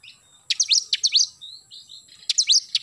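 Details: Oriental magpie-robin singing in the morning, gacor nembak style: two quick bursts of sharp rising chirps and buzzy slurs, separated by soft short whistles, over a faint steady high tone.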